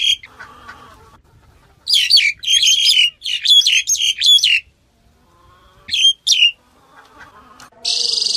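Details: Black-collared starling over faint background murmur, breaking into dense harsh, metallic chatter, then two sharp notes, ending with a hissing burst of noise.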